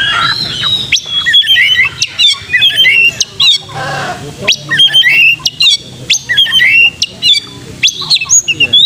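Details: Oriental magpie-robin lure song meant to make a bird sing readily, fight and spread its tail; loud, varied phrases of high whistles, sharp upslurs and squawky notes in quick bursts, with short gaps between phrases.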